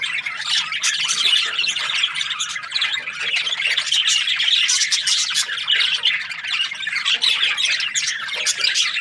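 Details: Happy budgerigar chirping: a dense, continuous stream of high, scratchy warbles and quick chirps, with no pauses through the whole stretch.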